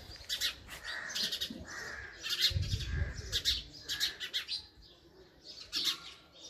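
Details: Chirping from a female house sparrow: short, scratchy notes in clustered bursts, with a low rumbling noise for about a second in the middle and softer trailing chirps toward the end.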